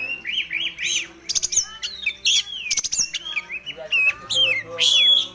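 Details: Young Oriental magpie-robin, just losing spotted juvenile feathers, delivers a fluent, varied song of warbled whistles, abrupt harsh bursts and clear slurred notes rising and falling, with a soft low hum underneath.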